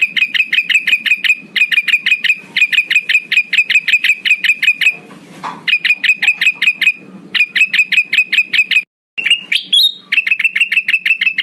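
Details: Male black-headed bulbul lure call, used to call rivals: rapid runs of sharp, even, clicking notes, about six per second, in bursts of one to two seconds with short breaks between.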